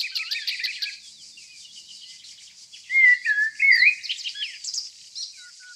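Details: Nightingale singing in the green countryside of Tonekabon, Mazandaran province, northern Iran, among evergreen forests and yellow flowers; loud rich phrases of slurred whistles and warbles around the middle, over a steady high hiss of insects or distant birds.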